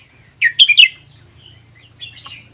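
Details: Red-whiskered bulbul from Vietnam–Laos forest, kept one year, 'double' song style: a short burst of three or four bright, warbled notes, then quiet with faint softer chirps and a steady high whine.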